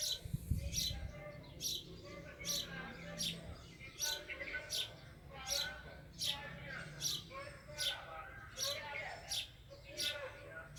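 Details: Sparrow giving sharp, bright chirps repeated steadily about once every three-quarters of a second, each note a quick broad burst, with a faint low hum and softer murmuring underneath throughout.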